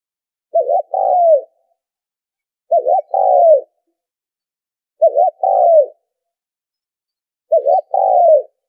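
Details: Spotted dove decoy calling for trappers: four evenly spaced phrases roughly every two and a half seconds, each a quick wavering note run into a longer descending coo, with silence between.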